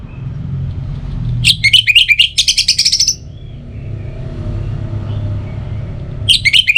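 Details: An orange-headed thrush sings as a morning and evening lure for birds: a dense burst of high, fast twittering and buzzy notes lasting almost two seconds, then a pause before another burst starts, with a low rumble behind.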